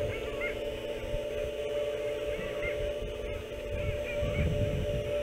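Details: Canada geese picked up by a boathouse webcam on 14 March 2017. Several short, mid-pitched nasal honks, some in quick pairs, sit over a loud steady electrical hum and low rumble.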